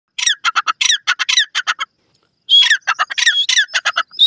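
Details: Desi teetar, the grey francolin, in a rural natural setting: loud, harsh, rapidly repeated squawking notes in two bursts separated by a short silence, each note rich and ringing.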